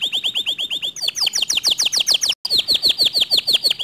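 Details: Canary song that is said to provoke other canaries into singing: a fast trill of steeply descending swept notes, about three per second, that shifts into a higher, quicker rolling series after a brief break.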